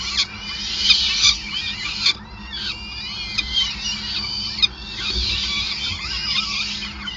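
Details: Peregrine falcon calling at its nest in Groningen while food is brought, 5 May 2020: strained, rising and falling high wails run in overlapping waves, with a few sharp knocks and a low background hum.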